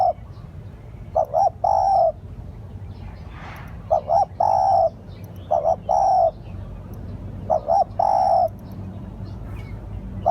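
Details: Repeated spotted dove cooing used to lure birds: phrases of two quick short coos and one longer coo, about five in ten seconds, over soft background noise.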